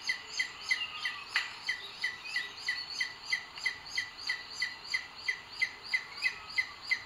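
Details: Booted eagle at a nest in Sierra de Guadarrama, Spain, on 2 June 2022, filmed by a live webcam as the male brings food to the female. It gives a steady series of short, high notes, about three per second, over a faint background hiss.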